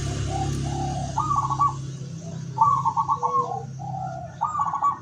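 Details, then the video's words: Local zebra dove decoy bird for luring wild doves, 17 August 2023; soft coos followed by rapid trilled notes, phrase given three times, with a loud low hum running through the first half. "suara perkutut lokal pikat terbaru"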